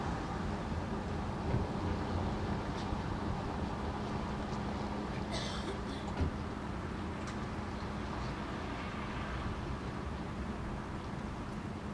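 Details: A steady low rumble of passing traffic fills the recording, with a brief clatter midway and no clear animal voice.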